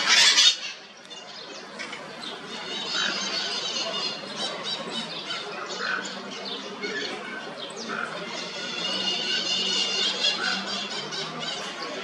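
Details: Toco toucan filmed at Boa Vista in Itajubá, Brazil, giving harsh, grating squawks every one to two seconds over a steady, faint background hum.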